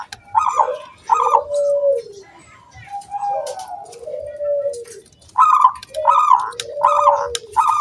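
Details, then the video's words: Song of a local wild zebra dove, used to encourage other doves to start singing; pairs of crisp, bright coo notes mixed with lower, longer warbling coos, repeated roughly every second. "SUARA KRISTAL KUNG BULAT PANCINGAN SANGAT AMPUH BURUNG PERKUTUT GACOR MANGGUNG"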